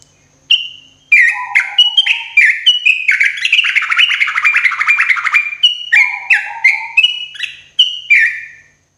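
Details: Loud morning song of a sooty-headed bulbul, played as therapy for caged birds: crisp whistled notes open into a dense, rapid chattering burst mid-phrase, then return to separate bright slurred whistles with a lower answering note.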